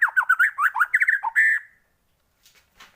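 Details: White-rumped shama lure song, a brief burst of varied squawky, warbling notes ending in a harsh drawn-out note, then near silence.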